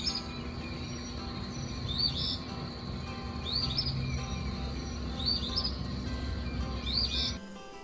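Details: Eastern Phoebe song, one of the first birds singing before sunrise: a raspy, buzzy 'fee-bee', repeated four times about every one and a half seconds over steady background music.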